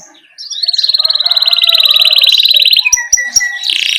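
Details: Canary singing a rolling ngerol song, played to coax young canaries into song: a long, rapid, pulsing trill held for over two seconds, broken by a few sharp clicks, then a bright chattering burst.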